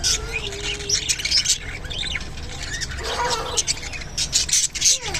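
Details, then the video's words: Budgerigar of Japanese type while mating, soft gliding whistles and scattered ticking clicks in a steady chatter, a low wavering whistle opening the sequence. "japanese budgerigar mating and sounds"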